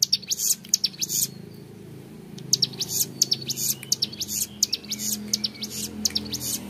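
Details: High, rattling ngebren bursts from a young Hill Prinia, briefly pausing near the middle before resuming, with a low droning hum underneath throughout.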